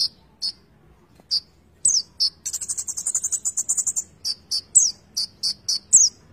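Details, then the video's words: Konin songbird in full, continuous song with fill-in phrases. Scattered high sharp notes and slurred whistles lead into a long fast buzzy trill, followed by a quick run of high chips. "Konin gacor full isian"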